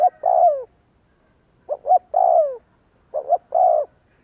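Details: Lure cooing of a spotted dove to make doves answer: three low phrases, each a pair of short hoots then a sustained falling croon, separated by short silences.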